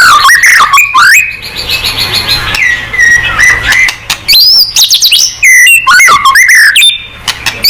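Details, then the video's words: White-rumped shama in full song, used to provoke other shamas into singing: a loud, rapid run of varied whistles, sharp upslurred and downslurred notes and chattering phrases, switching pattern every second or so, with only brief pauses. "MURAI BATU GACOR|Hanya cukup 5 detik Langsung NYAUT!!"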